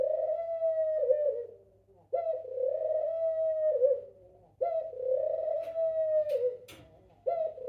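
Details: A male pied ringneck dove calls out to his mate with long, mellow, rolling coos, each about two seconds long.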